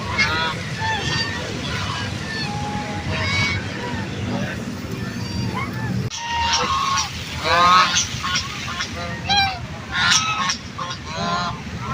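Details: Duck calling to other ducks: a series of nasal, harmonic honking calls repeated in irregular bursts, several overlapping, growing louder and busier in the second half over a steady low rumbling background.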